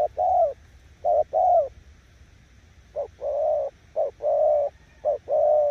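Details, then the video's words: Spotted dove cooing in the 'gù' style, described as able to beat weaker decoy birds: four soft, low two-part phrases, a clipped note then a longer rounded coo, with short pauses between phrases. "Nước gù ae tự đánh giá, mồi yếu gặp thứ này chắc cũng thua"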